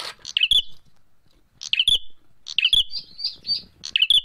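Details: Bar-winged prinia in a fighting call: bursts of sharp, chirping notes with a quick trilled flourish, repeated in rapid clusters roughly every second, ending with several buzzy chips.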